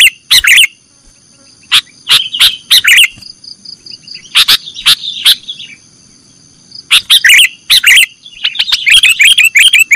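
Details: Sooty-headed bulbul in nggaruda song for training cage birds: scattered sharp chirps and short warbled phrases with long pauses, ending in a quick bubbling run, with a steady high hum throughout.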